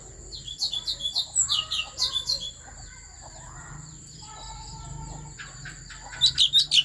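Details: Song of the Asian fairy-bluebird from Vietnam's Central Highlands, meant to provoke other birds: two bursts of rapid, bright chirped notes opening the recording, a quieter pause with faint murmuring, then another loud flurry at the end.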